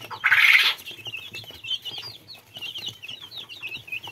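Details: Little chicks peeping, a loud burst of noise at the start, then many high downslurred peeps overlapping continuously, with scratching and rustling sounds.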